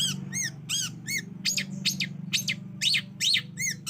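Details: Lure of a long-tailed shrike to provoke singing: nasal arched notes followed by harsher, scratchy calls in quick succession over a steady low hum.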